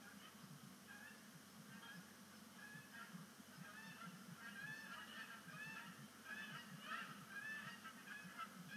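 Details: Canada geese at Sapsucker Woods Pond at sunset on 5 October 2019, the season's first splashdown as migration begins. A dense flock honks continuously, with overlapping nasal calls and a steady low murmur beneath.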